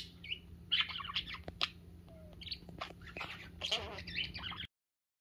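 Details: Pet parakeet playing with its owner's fingers, a sign of love and trust; soft scattered chirps and short warbled notes, quiet and irregular, with small clicks and a low steady hum behind.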